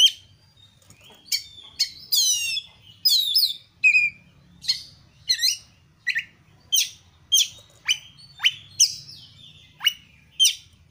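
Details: Oriental magpie-robin (kacer) singing richly, a lure recording meant to prompt other kacer to sing: sweeping whistles and buzzy trills early, then sharp high downslurred notes repeated roughly every half second, with faint low rumble beneath.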